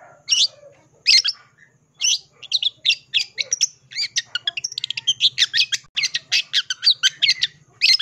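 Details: Long-tailed shrike, full isian fill-in song: a few separate loud harsh notes at first, then an accelerating string of short, scratchy chatters and clicks, growing denser toward the end.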